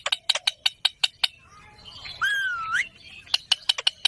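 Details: Green parrot vocalizing: a run of sharp, evenly spaced clicking chirps, then a loud whistled note that dips and rises, followed by more quick chirps.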